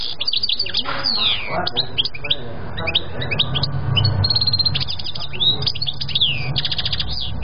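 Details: European goldfinch in continuous song: liquid twittering notes mixed with downward-sweeping whistles and short rattling trills, a brief buzzy stretch near five seconds, over a faint low rumble.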